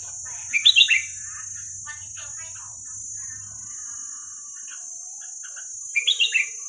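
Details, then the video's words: Red-whiskered bulbul giving 'hua krok khayao khuat' song, played so young birds learn it: two short bursts of rich bubbly whistles several seconds apart, with faint chattering notes between and a continuous high-pitched whine. "เสียงนกกรงหัวจุกเพลงหัวครกเขย่าขวด เปิดสอนลูกนก"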